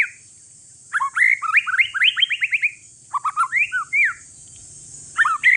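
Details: One-year-old caged white-rumped shama of Aceh forest lineage, used to prompt other shamas to sing. It delivers bursts of quick stacked whistles and chattering runs, then slurred rising notes, with a constant high electronic hiss behind it.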